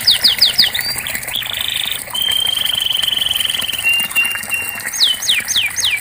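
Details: Canary song for prompting silent canaries to sing: quick falling whistles, a buzzy trill, a long even high rattle fading into a thin trill, then loud slurred downward sweeps at the end.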